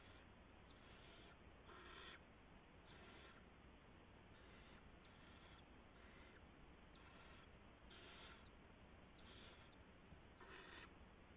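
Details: Barn owl nest at 3:10 AM, March 16, 2016, where a gopher is delivered and one owlet in the corner takes it. Many short, noisy hisses overlap in a busy, irregular chorus with steady hum underneath.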